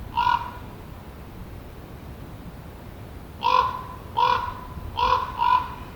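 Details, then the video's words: A common raven gives five harsh, hoarse croaks: one alone, then four in quick succession about a second apart, over a faint steady background hiss. "Raven Sounds Bird Call Video Raven Croaking"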